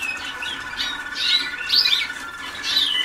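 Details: Young Waterslager canaries in their first days of song work: loud high whistled and warbling phrases in quick succession, with a steady hum underneath.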